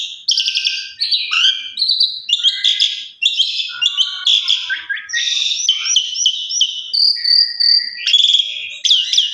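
An Asian pied starling sings a loud, unbroken jumble of chattering, squeaky notes and clear whistles, changing phrase every second or so, with no other sounds.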